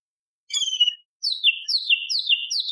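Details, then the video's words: Training song of a cucak cungkok bulbul for contest birds. One long falling whistle, a short pause, then a fast run of high whistled notes, each sliding sharply downward. "Cucak Cungkok Istimewa ~ Isian Tembakan Variasi Kasaran Tajam Pedas Kasar"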